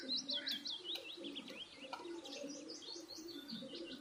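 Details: Birds eating food chirp together in a busy, overlapping chatter of quick high twittering notes, with a soft hum beneath.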